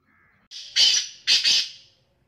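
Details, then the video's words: A Black francolin (desi teetar) utters two long, hoarse, rasping phrases, each swelling loud and then fading away, separated by a short gap, with quiet in the background. "sindhi teetar ki awaz black teetar ki awaz kala teetar ki awaz desi teetar ki awaz blackfrancolin"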